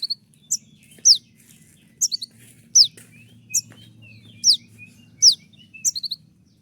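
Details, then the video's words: 'Tembakan' song of a konin used as master training audio: piercing high down-slurred notes fired roughly every half second to second, with short clipped trailing chirps between them and a soft low hum underneath. "dengan suara tembakan seperti ini pasti bikin kelas kicau koninmu melecit tinggi"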